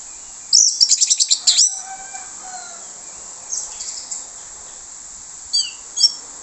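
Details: Lure song from an orange-headed thrush, plong bongkar usian style, to entice other thrushes: a fast run of about eight stuttering high notes, drawn-out whistles, then scattered single chirps.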